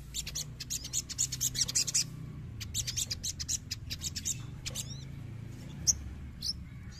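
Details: Crested jay giving rapid bursts of sharp, high clicking and chattering notes, then scattered single chirps and quick downslurred whistles, over a low steady hum; used to provoke a reaction from other birds.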